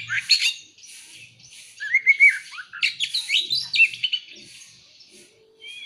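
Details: Oriental magpie-robin (kacer) in lively lure song meant to set other magpie-robins singing: dense chattering phrases mixed with buzzy notes and short bright whistles, with a brief low hum.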